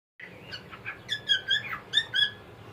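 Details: Pet cockatiel singing a short string of warbled, whistled notes that rise and fall, ending in a few brighter repeated whistles, against a low indoor background hiss.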